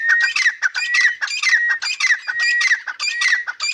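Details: Pair of grey francolins from Pakistan calling together, a dense chorus of harsh, ringing squawky notes with whistled edges, repeated almost twice a second and overlapping without pause.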